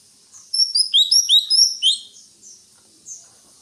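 A greater green leafbird sings a quick burst of high, sweet whistles and chirps that tumble over each other for about a second and a half, then trail into softer notes.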